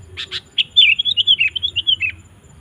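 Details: Kutilang, the sooty-headed bulbul, singing gacor to call wild birds: two quick harsh chirps, then a fast, liquid phrase of about a dozen bright warbled notes that slur up and down before stopping.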